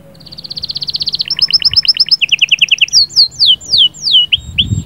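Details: Canary sahsahat and batbatat singing, played to prepare the female: a fast trill swelling in volume, doubled notes, a buzzy roll, then slow downswept whistles and a low rumble at the end.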